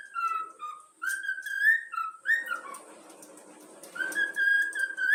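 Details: Yellow-cheek cockatiel youngster whistling the Flamengo anthem: melodic whistles at start and end, with a stretch of rough, scratchy noise in the middle.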